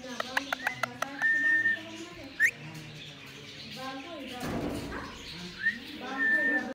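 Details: A green ringneck parakeet giving quick clicks, then a long steady whistle, a brief upward-sweeping squeak, and more drawn-out level whistles, with low garbled chatter and a short rushing noise in the middle.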